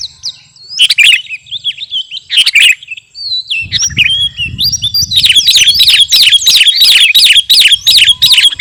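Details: Kutilang garuda sooty-headed bulbul in lively song: two loud chirp bursts with thin whistles, a short pause, then a long fast run of rapid repeated chattering notes, with low rumble in the background.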